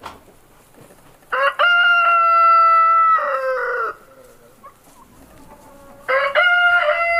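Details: Rooster gives a long, loud crow lasting over two seconds, with a steady, nasal held note ending in a rough downward tail, and after a quiet pause a second crow begins and is cut off.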